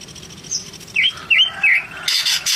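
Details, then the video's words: Greater green leafbird singing: a few short, slurred, rising-and-falling whistles in a row, then a burst of high chatter at the end. "Kicauan cucak ijo gacor"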